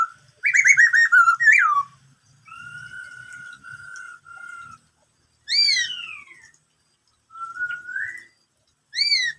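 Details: Black-throated laughingthrush singing in the style called "bắt cô trói cột": rich, harmonic whistled phrases, an opening warble, a long steady whistle split into four parts, then sharp descending slurs and a rising note, with short gaps between phrases.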